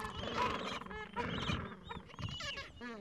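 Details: Falkland Islands gentoo penguin colony on a mild afternoon, adults caring for chicks aged two to three weeks at their nests; overlapping braying calls and thin rising peeps pulse in short bursts about every half second.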